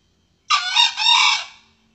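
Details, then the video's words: Male red junglefowl crow, a lure recording used to attract and trap or hunt wild junglefowl of both sexes: one short, harsh, broadband crow in two joined parts, rasping throughout and fading out after about a second, on a quiet background. "Suara pikat Ayam hutan jantan,Ampuh untuk pikat dan berburu."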